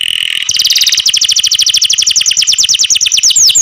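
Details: Canary song opening with a buzzy tone, then a fast, even trill of short falling notes that slowly lengthen and sweep more widely toward the end.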